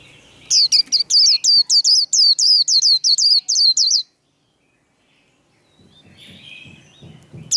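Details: White-eye singing a fighting-style líu song: about fourteen high, hooked, whistled notes in quick succession, each sweeping down then up, delivered over three and a half seconds, followed by quiet and faint low rumbling background.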